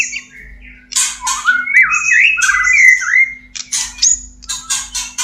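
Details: Mating white-rumped shama in a cage, song for bringing birds into breeding condition: harsh noisy bursts around a sequence of melodious rising and falling whistled phrases, ending with repeated scratchy notes; faint low hum.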